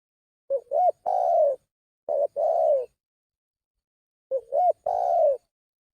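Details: Lure call of a spotted dove: mellow coo phrases. Each phrase opens with a quick two-part rising note and ends in a drawn-out, gently descending coo. There are three phrases, with a long pause before the last.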